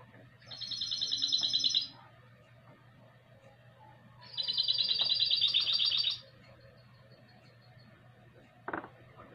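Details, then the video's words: A 2020 recording of a classic-style goldfinch × canary hybrid: two separate bright, buzzing trills of about two seconds each, with a quiet pause between them and a single knock near the end. "MIXTO CLASSICO EL OBRIGADO"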